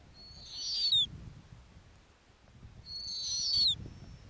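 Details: Arctic snowy owl on the nest, two high whistles nearly three seconds apart, each swelling, then dropping in a quick downward slide, with a quiet low background rumble.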